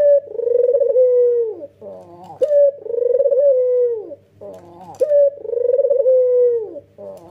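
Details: Red-eyed white male Barbary dove in full, clear head-nodding coo: repeated long mellow coos, each starting with a short bright note and ending in a falling tail, separated by soft wavering notes; faint low background hum.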